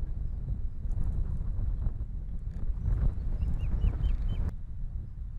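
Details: Osprey calling from an Estonian nest on an April morning: a brief run of about five sharp, high, slurred chirps in quick succession, set against a constant deep rumble of wind.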